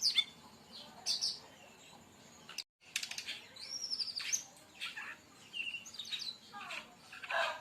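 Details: Brown-chested jungle flycatcher singing as a lure for other birds: high sweeping whistles and scratchy chirps, broken by a brief silent gap, then resuming with rising and falling notes.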